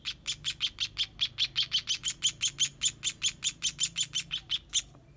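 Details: Young sparrows calling for food during feeding, a fast insistent string of sharp high chirps, roughly five each second, continuing without pause before stopping near the end.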